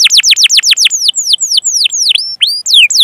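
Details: Canary chirping song used as a master recording to stimulate other canaries. Quick falling whistles repeat about six times a second, then slow to longer drawn-out downward sweeps and a few looping notes.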